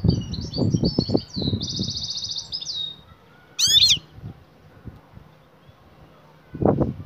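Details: Female European goldfinch calling the male for mating: twittering leading into a buzzy rattled trill, then one loud sweeping call, with low thumps and knocks around it.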